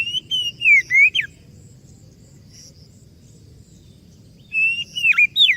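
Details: Oriental magpie-robin lure song played so other birds answer: a short series of warbled whistles, about three seconds of quiet, then another phrase with steep downward swoops and bright rising notes.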